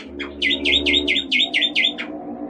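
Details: Oriental white-eye giving a sweet song: about eight evenly spaced, bright V-shaped chirps in quick succession over a faint low hum, trailing off into a short soft note.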